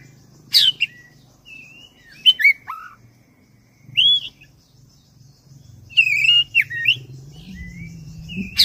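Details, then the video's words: Oriental magpie-robin of the black-breasted form, a caged bird in full song used as a lure to provoke other birds. It gives long rolling bursts of sharp whistled and chattering phrases, with short pauses between them, over a low steady hum. "ngeroll panjang! pancingan suara kacer gacor dada hitam istimeewa"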